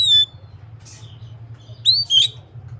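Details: Oriental magpie-robin (kacer) meant to prompt other kept magpie-robins to sing: a loud rising whistled note, a brief buzzy burst, then two more upward-sweeping whistles over a low steady hum.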